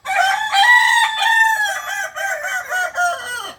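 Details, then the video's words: Rooster of the Kukuak balenggek singing breed from Solok, West Sumatra, delivers a long continuous crow of many linked syllables, each note dipping and stepping gradually lower across nearly four seconds. "Ayam kukuak balenggek ayam penyanyi dari solok sumbar"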